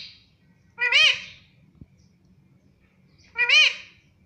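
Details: Talking Indian ringneck parakeet, a pet bird in India said to say mummy and papa, giving two loud, rich, arched vocal phrases about two and a half seconds apart, with quiet low background hum between.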